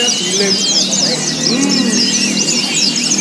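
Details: Dense chorus of white-eyes, rapid high twittering song phrases overlapping without pause over murmuring human voices, simulating a crowded songbird contest to train caged white-eyes.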